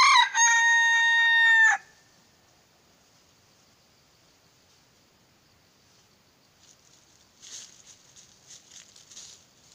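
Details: Moulting purebred red junglefowl decoy bird, kept for trapping wild junglefowl, gives the drawn-out, level, strongly harmonic end of a crow. Near-silence follows, then soft rustling and scratchy noise.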